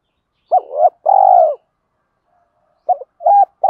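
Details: Spotted dove decoy call for attracting wild doves: a hooked coo running into a wavering note, then a sustained purring coo, a second of silence, and a few quick clipped coos at the end.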